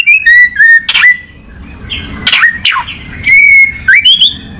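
An oriental magpie-robin sings loud, clear whistles, some level and some sliding upward, broken by harsh scratchy notes, over a faint low rumble.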